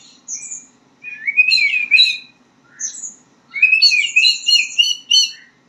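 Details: Young-voiced practice song of a white-rumped shama learning to sing: short whistled notes followed by rising, twittering phrases and a sweet warbled run, with a low background hum.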